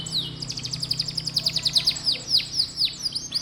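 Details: Canary song to encourage young canaries to sing: a fast rattling trill of sharp repeated notes followed by several spaced downward-swooping whistles.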